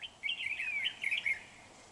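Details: Red-whiskered bulbul used as a trapping lure, recorded 31 January 2019: one continuous rich warbled phrase of rapid whistled notes, including a clear falling slur, lasting about a second.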